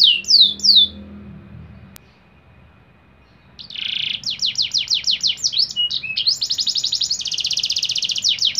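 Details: Canary singing in a singing contest; a few high descending sweeps, a pause, then rapid, bright trills of repeated notes, about three per second, and buzzy rolling phrases.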